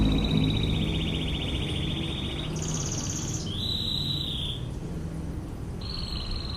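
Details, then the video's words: Canary master song in the 'tembakan ngebren' style: long, even trills held near one pitch, then a higher buzzy roll and a lower sustained trill, ending with another short trill, over a steady low background hum. "MASTERAN BURUNG KENARI//TEMBAKAN NGEBREN"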